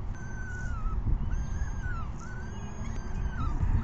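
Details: Peregrine falcon chicks at an evening feeding around 6 PM on May 14, 2021, giving drawn-out arched whining calls, several in a row, over heavy low rumbling background noise.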